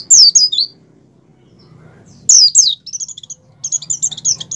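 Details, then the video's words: Oriental white-eye, 'ngalas' wild-style song of a bird in breeding condition, meant to provoke captive white-eyes to sing: two brief bursts of high falling slurred notes with a silent gap between, then a quick stuttering high trill. "pleci over birahi ngalas mempercepat pleci buka paruh dan pleci gacor"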